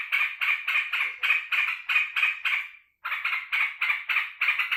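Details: Joyful yellow-vented bulbul welcoming its keeper back home: harsh chattering notes in quick succession, one trailing off into a slur, a brief gap, then a fresh run of rasping notes.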